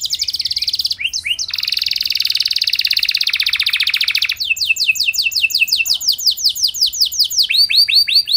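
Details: Canary singing steadily to prompt other canaries to respond: a long, dense buzzy trill, then a run of bright downward-slurred whistles about four per second, closing with quicker chopped notes.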